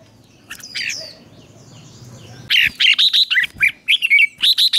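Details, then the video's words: Red-whiskered bulbul morning song for training, ché kích bổi style: a quieter, softer stretch at first, then loud rapid chirping phrases of clear whistled notes pouring out in a fast run to the end. "Luyện chào mào hót sáng, QUÁ HAY - CHÉ KÍCH BỔI CĂNG ĐÉT, Cách luyện chào mào hót căng lửa"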